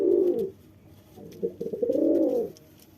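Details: Low, burbling coos from a male pigeon impressing a female, a brief phrase followed by a longer rolling one that rises and fades.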